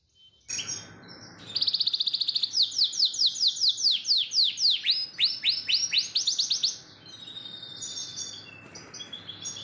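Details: Domestic canary in full song, used as a training master for young canaries: an opening chirp, then a long, even series of quick descending high notes at a steady pace, with quieter twitters afterward.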